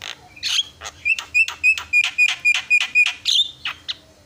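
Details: Javan myna song meant to draw responses from rival mynas: a rapid run of about a dozen short, bright, clipped notes repeated nearly four times a second, framed by rougher squawky notes at the start and end.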